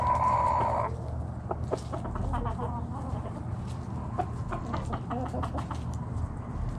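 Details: Morning backyard chicken flock foraging, a tonal crow fragment at the start followed by many quick soft clucks and short calls from several birds over a constant low hum.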